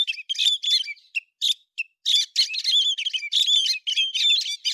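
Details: Héc xoan bird, September 2020: squawky chirps and high twitters, a brief sparse stretch of single notes, then a fast, dense chattering phrase; no other sounds present.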